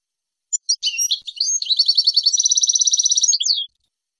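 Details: European goldfinch song from a 2022-season tutoring recording meant to teach young goldfinches the approved song: a few sharp opening chirps, then a long, fast, even rattling trill of high notes lasting about three seconds before a final downslurred note.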